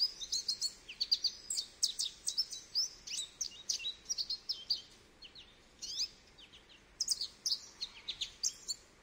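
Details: A goldfinch delivers a lively run of sharp, high chirps and liquid twitters, pausing briefly near the midpoint, then bursting again into fast tinkling phrases.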